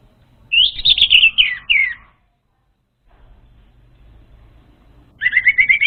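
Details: Lure song for an untrained orange-headed thrush: a fast, high, chattering warbled phrase lasting about one and a half seconds, a pause, then a second run of quick repeated notes.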